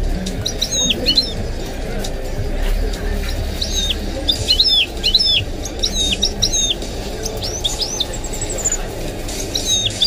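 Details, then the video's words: Goldfinch × canary hybrid (mule) singing: bursts of bright, high twittering phrases with sharp up-and-down whistled notes, repeated in clusters across ten seconds, over steady Arabic-language football commentary in the background. "The maestro's singing is amazing - the goldfinch hybrid"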